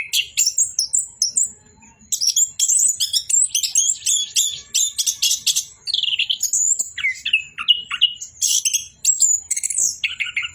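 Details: Long stretch of Orange-headed thrush song, very high and busy, with fast chirps, scratchy bursts and thin sustained whistles packed tightly together, only a couple of brief breaks.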